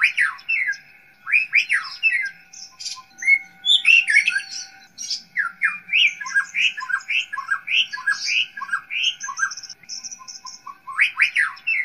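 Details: White-rumped shama master song used to train young wild-caught birds runs on almost without pause: rich, varied phrases of sharp whistles, slurred notes and harsh chattering squawks, high and bright throughout.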